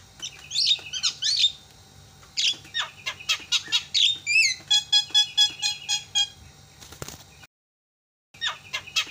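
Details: Javan myna calls played to goad lazy mynas into calling: squealing whistles and a rapid run of harsh, rattling notes, with a brief silent gap near the end.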